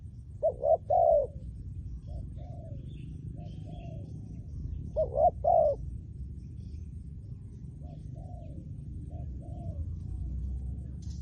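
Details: Spotted dove trained for decoy trapping utters two loud clusters of rapid, hollow coos several seconds apart, with softer distant coos between them over steady low background noise.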